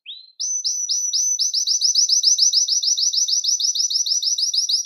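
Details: Belgian canary, song for calling canaries: after a faint opening note, a long fast train of bright rising-falling syllables repeated evenly, clear and unaccompanied.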